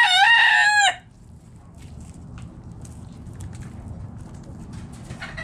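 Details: Backyard chicken flock foraging in the morning; the tail of a loud rooster crow fills the first second, then quiet clucks and scratching over low background rumble.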